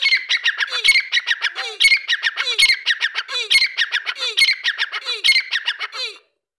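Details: Grey francolin, known locally as Dakkni teetar, giving loud, harsh, squawking calls in rapid rhythmic phrases. Each phrase is a burst of grating notes with a lower sliding note, repeated about every second, and the calls stop abruptly at the end.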